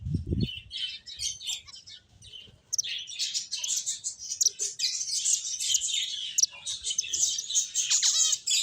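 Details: Finches at play fill the air with busy, high-pitched chirps that build into a continuous twittering chorus after a quieter, sparse opening, with a brief thump at the very start.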